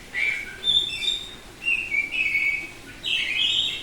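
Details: Oriental magpie-robin of the Bali type, semi-tame, singing loud open ngeplong song: rich bursts of high whistled and warbled notes in three or four strong phrases.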